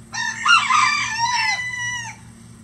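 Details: Rooster crowing on a farm that keeps at least 20 roosters of standard and bantam breeds that crow all day. One loud, harmonic crow rises, holds, then falls over about two seconds against a low steady hum.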